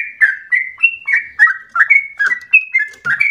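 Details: Sooty-headed bulbul singing in the rapid, pushy 'ropel' style used for provoking and tutoring birds: chirpy whistled notes slurring downward, about three a second, with faint low knocks near the end.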